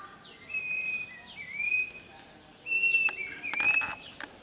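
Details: Red-whiskered bulbul used as a trap decoy sings fighting song: clear, steady whistled notes, each ending with a quick upward slur, given in two groups with short pauses, over light rustling noise.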